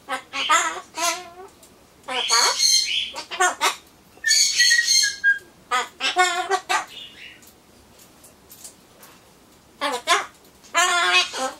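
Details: Solomons corella pet talking to itself while waiting for pumpkin: clusters of fast, throaty speech-like syllables alternating with grating squawks, separated by short silences.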